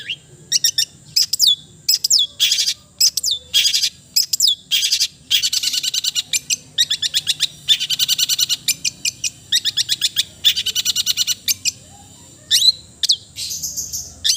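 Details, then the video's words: Long-tailed shrike pours out a long melodious medley: loud chattering bursts, rapid ticking runs and sharp whistled notes in quick succession, with brief pauses between phrases. "the melodious sound of the cendet bird"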